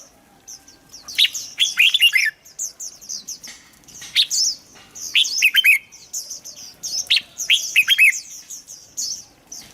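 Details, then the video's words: Red-whiskered bulbul singing to prompt birds: dense, repeated bursts of rich warbling whistles with many high chirping notes, phrases following one another every second or two. "เสียงนกกรงหัวจุก สำหรับต่อ หรือ เปิดให้นกคึก เสียงเพราะๆ"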